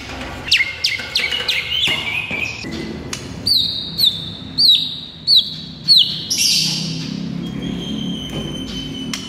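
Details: White-rumped shama singing in the morning, training recording: sharp clicks and short notes, then a run of five loud whistled notes that rise and drop, about one per second, ending in a thin high whistle.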